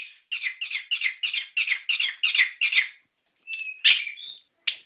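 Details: Orange-headed thrush song used to stimulate captive birds: eight rapid, near-identical scratchy warbled notes in an even series, a pause, then a clearer whistled phrase and a sharp note.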